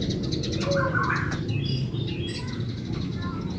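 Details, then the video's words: Lure song of the yellow-vented bulbul, 'gacor ulpik ropel' style, played so other bulbuls respond; a cluster of warbled, bubbling whistles early on, then thinner high notes, with a low droning hum beneath. "SUARA BURUNG TRUCUKAN GACOR ULPIK ROPEL INI COCOK BUAT PANCINGAN TRUCUKAN"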